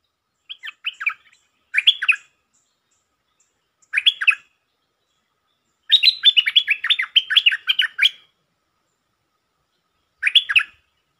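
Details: A stripe-throated bulbul, a resident bird recorded as a lure call, gives short, bubbly, fluty phrases of quick descending notes in five bursts, with one longer chattering run mid-way. Nothing else is heard.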